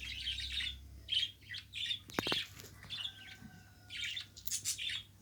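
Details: Captive budgerigar chattering: quick runs of high, buzzy twitters and squeaks, broken by a couple of sharp clicks midway.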